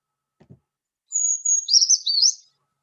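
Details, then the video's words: Brown Creeper, a high-pitched upper-canopy species heard year-round in local forests, sings a very high, thin song, a long sibilant note then a jumbled, wavering tinkling phrase (mnemonic "trees, trees, beautiful trees"), after a faint soft thump. "Mnemonic for its song is trees, trees, beautiful trees."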